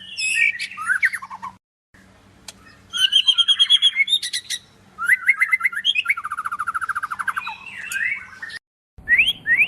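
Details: Murai medan, a white-rumped shama, in full varied song: high whistled notes, quick buzzy trills, a long run of rapid repeated notes dropping lower, brief silences between phrases, and a faint steady low hum.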